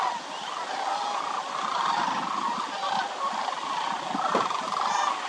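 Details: Migratory sandhill cranes, a winter flock numbering more than 20,000 at Willcox Playa Wildlife Area, give a continuous mass of rolling, garbled trumpeting calls with a few soft low thumps beneath.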